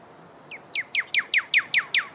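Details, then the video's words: Desert cardinal (pyrrhuloxia) of western North America giving a rapid run of eight loud, bright downward-slurred whistles, each note sharply repeated about every fifth of a second in a quiet setting. "Pyrrhuxolia Sound Bird Song"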